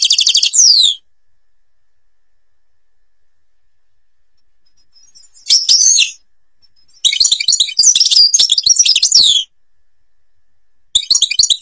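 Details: European goldfinch, Algeria, singing in the ghabat al-Babas tiberli style: separate bursts of fast, high, jangling twitter with buzzy trills, split by silent gaps of several seconds.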